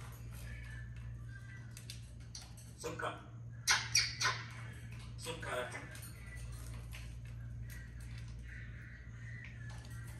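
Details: A talking African grey parrot indoors calls out its own name, "Sukkar", in a few short, speech-like bursts mid-clip, over a steady low electrical hum.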